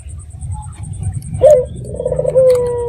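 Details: Lure call of a local red-eyed dove, meant to make other doves reply: a short rising note followed by a long, level, slightly falling coo, with low rumbling background noise throughout.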